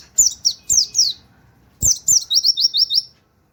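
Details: Tutor song of a white-eye in the 'nembak wit wit kenari' style: four high, sharply falling notes, a short pause, then two more falling notes and a rapid run of five rising chirps.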